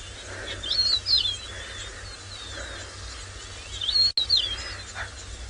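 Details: Rufous-naped larks sing at sunrise in the Masai Mara on 17 January 2018: brief, sweet whistled phrases rising and falling about three seconds apart, with yellow-throated longclaws, crickets, frogs and a passing car's diesel hum.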